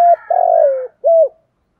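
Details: End of a Spotted dove song phrase, 'giọng thổ' style, used to coach newly caught doves: a clipped note, a long rough coo gliding lower, then one short rounded closing coo before silence.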